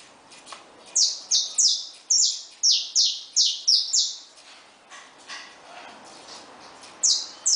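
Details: Saffron finches hopping in a cage beside their just-hatched chicks sing a fast string of about nine shrill, descending notes. Fainter chirps follow, then one last loud note.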